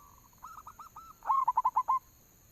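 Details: Soft hooked coos lead into a loud rolling run of six rapid notes from a local zebra dove, sung as a lure call.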